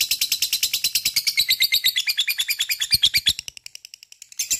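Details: Lovebird ngekek, rapid buzzy chattering repeated steadily for over three seconds, fading briefly before restarting at the end.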